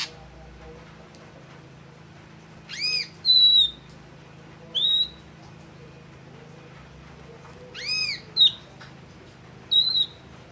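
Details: Ashy drongo of the red-eyed grey form, singing: a few loud, clear whistled notes falling from high to lower pitch, some with a rich harmonic edge, spaced irregularly over quiet background hiss.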